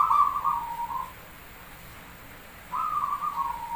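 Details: Javanese zebra dove song meant to draw other birds into singing: a warbling trilled coo that dips slightly at its end, a silence of nearly two seconds, then a second similar phrase.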